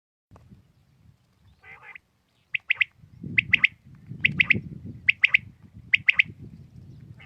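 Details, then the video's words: A common quail, or batair, calling in the morning: a crisp three-note phrase repeated roughly every second, clear above a faint low rumble. "Aj suba Batair Ki Awaz ki Recoding| Khali Batair ki Batair ki Awaz| Quail sounds|lCommon Quail 2020|"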